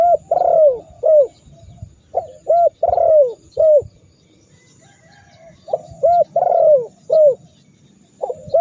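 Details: Spotted dove calling in a training recording used to provoke rival doves into answering; low mellow coos in quick bursts of three or four notes, with a longer slurred coo inside each burst and pauses between phrases.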